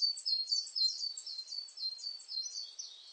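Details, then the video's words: Coal tit giving a dense stream of thin, high chirping notes that blur together, a little rougher and less evenly spaced than a clean song phrase. "진박새, 여러번 듣기, 곤충소리, 새소리"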